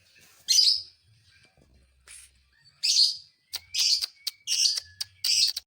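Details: Lovebird singing in a way meant to provoke other lovebirds: scattered loud, harsh chattering bursts and short sharp chirps, irregular with pauses, quickening toward the end, faint low background noise.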